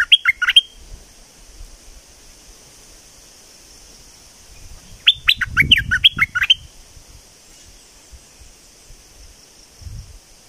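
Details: Southern Thai streak-eared bulbul singing hard: a short chirp burst, quiet pause, then a longer run of sharp falling notes over a low rumbling sound, followed by quiet with a brief low thump.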